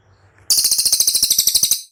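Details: Cililin singing, used as a training recording for caged birds: after a faint murmur, a bright, piercing trill bursts in, with rapid even pulses, about fourteen in just over a second, before trailing off.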